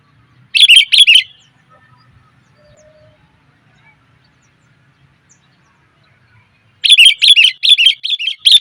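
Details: Lure call of a female sooty-headed bulbul summoning males: a quick burst of chattering chirps, then a long quiet gap with a faint low hum, followed by another rapid stuttering series of bright notes.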